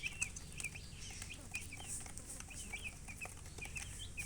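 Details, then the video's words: Baby chickens peeping: short high chirps that dip and sweep, repeated steadily through the stretch, with faint scratchy rustling and soft background hiss. "Baby "Chicks Chirping" Sound"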